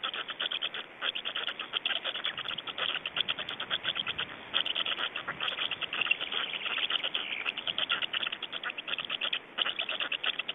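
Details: Estonian black storks during feeding and change-over, 25 May 2012 in late afternoon: continuous chatter of rapid, scratchy pulsed notes in quick bursts, nearly unbroken for ten seconds, with small pauses between volleys.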